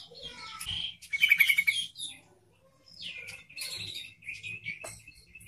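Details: Yellow-vented bulbul singing, recorded as a lure and training song for other bulbuls: jumbled bubbly warbles with a quick burst of repeated clear notes, then softer slurred descending phrases.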